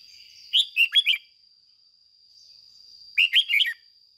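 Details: A red-whiskered bulbul lure bird delivers its 'ché' style song meant to excite other bulbuls: two brisk phrases of four ringing, slightly buzzy whistled notes about two and a half seconds apart, over a thin steady high whine.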